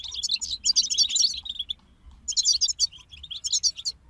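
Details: European goldfinch group song: dense, sparkling chatter of high twitters and trills in two long bursts with a quiet break between them.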